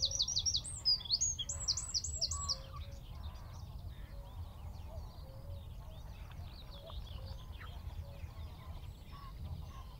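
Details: Wren singing from a tree at Wicken Fen, roughly 15 m off, recorded by phone with a shotgun mic: a burst of fast, high looping trills opens, then fades into quieter distant birdsong and low repeated hoots.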